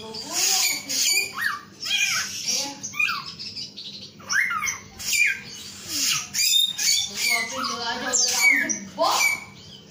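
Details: Male samyong singing a long, varied run of loud whistled phrases, with rising and falling slurred notes and harsh squawky bursts in quick succession, separated by brief pauses.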